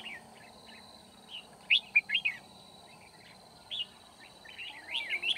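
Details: Decoy red-whiskered bulbul at a trapping site in Kim Bôi, 9 February 2019, singing to draw wild rivals. It gives lively clusters of sharp, slurred, warbling notes, several phrases in five seconds, over a faint continuous high-pitched tone.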